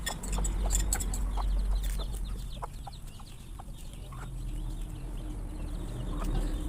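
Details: Numerous farm chickens surprised while eating: quick irregular clucks and faint high chirps from the flock over a strong steady low hum.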